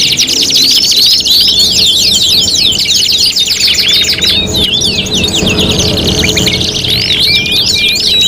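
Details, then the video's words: Tutoring mix of canary song for bird contests: looping whistled sweeps and dense rattling trills, a short pause near the middle, then long even whistles and renewed fast phrases from several birds. "MASTERAN KENARI MATERI GANTANGAN LOMBA 5 IN 1 | CANARY SINGING"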